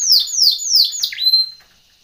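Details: Timbrado canary training song: four loud, downward-sliding whistled notes in a quick series, ending in a longer, steady, piping whistle that fades.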